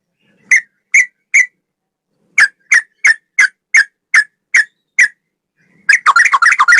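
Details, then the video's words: Sooty-headed bulbul male, 'ropel' long-breath song: a spaced series of about eleven single clear chip notes, then a dense, fast bubbling trill at the end. "Burung trucukan gacor ropel 1 nafas panjang volume cucak rowo"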